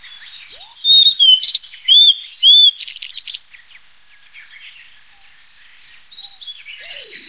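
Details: Blue-and-white flycatcher singing: clear whistled notes sliding between high pitches, some curving up and down, given in short phrases with pauses, plus a few buzzy bursts; quiet natural background.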